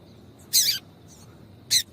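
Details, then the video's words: Female double-collared seedeater calling, used to stimulate a male to sing: two short, sharp, very high chips about a second apart, with a faint steady high whine in the background. "Piado de Fêmea de Papa capim Vai deixar Seu Papa capim Cantando"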